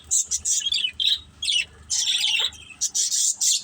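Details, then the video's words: A family of pet budgies at play gives bursts of high, scratchy chatter and squeaky warbles, separated by brief quiet gaps, with a few short whistled notes sliding downward in the middle. "Beautiful Budgies Chirping Sounds"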